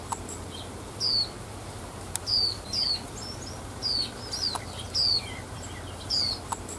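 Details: A female warbling white-eye in the wild, said to strongly excite males, gives thin, high, slightly descending chips about once a second over a steady low hum.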